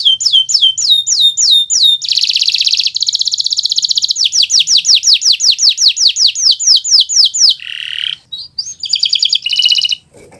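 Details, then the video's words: Canary of the Kenari Nusantara type in vigorous song, used for teaching other birds; repeated downslurred whistles, a fast rattling trill, a long series of sharp slurred notes, then brief buzzy bursts and twittering. "Suara Burung Gacoran Kenari Nusntara, untuk Masteran Belajar Bunyi"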